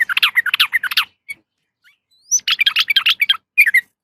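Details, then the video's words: Female yellow-vented bulbul calling a male with loud, fast, tumbling chatter, a thin rising whistle between two long runs, and a short three-note phrase at the end. "suara trucukan betina memanggil jantan"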